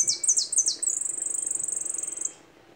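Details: High-pitched goldfinch phrase: three or four rapid falling notes lead straight into a long, pulsing buzzy trill that fades after roughly two seconds.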